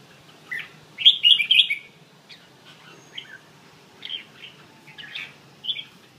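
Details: Red-whiskered bulbul singing in the bell-voice style: one loud, ringing warbled phrase, then scattered softer whistled notes and short fragments with quiet pauses between them.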